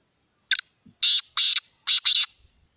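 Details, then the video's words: Black francolin (kala teetar) giving its harsh, grating call: a short opening note, then two loud paired bursts of rasping notes, each pair about a second apart, in otherwise quiet surroundings. "Kala Teetar ki awaz | Black Francolin ki voice"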